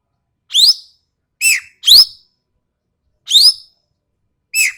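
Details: Sharp and harsh calls of a Sumatran common green magpie: five loud, raspy, upslurred notes, alternating with lower grating squawks, delivered at uneven intervals about a second apart.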